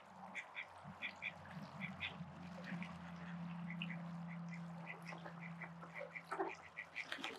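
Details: Call ducks at a spray pool give short nasal quacks in quick bursts, several close together, with pauses between them, over a steady low hum and splashing water.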